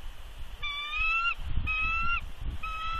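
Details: Warning vocals from a nesting female bald eagle at Big Bear as an unknown adult eagle perches nearby. Three drawn-out whistled notes, each rising slightly and ending in a flick, are spaced about a second apart over wind rumble.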